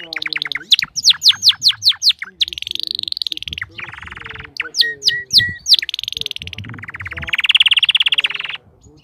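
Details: Crested canary singing vigorously: quick repeated whistled strokes alternating with long buzzy rolls and a high sustained trill, with low background sounds throughout.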